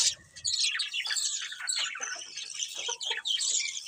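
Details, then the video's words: Pet budgerigars giving a busy stream of sliding high chirps and rasping chatter, many birds overlapping, with a soft low flutter at the start. "Beautiful Colourful Budgies Chirping Sounds"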